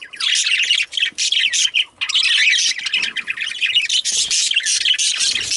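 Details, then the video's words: Several male budgies chatter nonstop, mixing high, raspy chirps, ticks and squeaky notes into a bubbling, unbroken stream. "Male Budgies/Parakeets"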